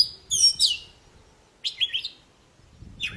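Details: Vigorous song of an Oriental magpie-robin (poci), meant to set silent birds singing again: three separate bursts of rich, sweeping whistles and rasping notes, split by long quiet gaps.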